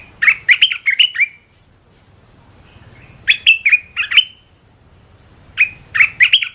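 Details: Red-whiskered bulbul singing to train cage birds: three lively phrases of four to five liquid, slurred whistles, separated by silent gaps of about two seconds.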